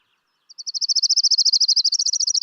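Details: A migrating Orange-crowned Warbler in Washington sings a fast, high, musical trill of about twenty-five notes over two seconds that rises and then falls off at the end. It favours deciduous trees and shrubs like hawthorns, alders and willows.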